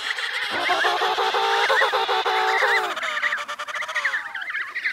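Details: Antarctic emperor penguin chicks eating snow to quench thirst: loud, brassy, harmonically rich calls sliding downward, mixed with wavering whistled trills, then fainter warbling chorus toward the end.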